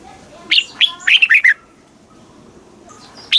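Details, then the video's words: Red-whiskered bulbul singing in Thailand, southern-style phrasing to stimulate caged birds and tutor young: a quick phrase of bright, rolling whistled notes, silence, then a single rising note at the end. "เสียงนกกรงหัวจุก ร้อง ริก เปิดให้นกฟัง ยั่วให้นกคึกจัด"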